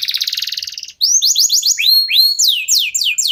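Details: Local canary song used to prompt other birds to sing: a fast buzzy trill, then a series of bright whistled notes sweeping up and down in quick succession.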